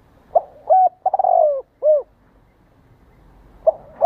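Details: Spotted dove (Spilopelia chinensis) giving soft, low, hollow coos: a short stuttering run of notes, then a drawn-out falling coo, repeated after a pause. The cooing is used to stimulate doves to coo and call.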